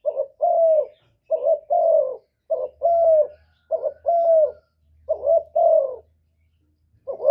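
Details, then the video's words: Spotted dove giving a provoking coo so that other doves answer at once. Repeated pairs of soft hooting notes, short then long and falling, about six pairs over a faint low hum. "Chim Cu Gáy Kích Nổi Cực Phê, Nghe là gáy theo liền"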